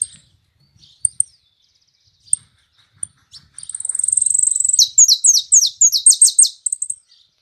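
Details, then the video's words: Yellow canary singing in the sun: a few isolated high chips, then a long fast rolling trill that turns into loud repeated descending sweeps about three to four per second before stopping. "Jilguero amarillo cantando en el sol"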